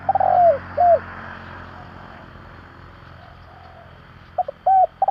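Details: Spotted dove cooing for luring decoy doves, the tail of a phrase with a long slurred coo and a falling note, a noisy lull, then stuttering notes and a clear coo starting again.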